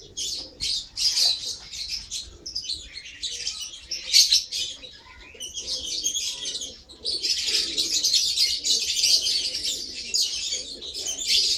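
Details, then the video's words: Lovebird giving dense, harsh high chattering in bursts, with short pauses between runs of rapid squeaky notes. "Love Bird"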